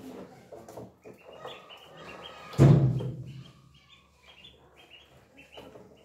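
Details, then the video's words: Three young ducks playing and eating, giving short, thin, high peeping notes in repeated brief bursts, with a loud dull thump midway and low background rumble. "3 من البط الصغيرة تلعب وتأكل محدثة أصواتا جميلة | ducks sounds"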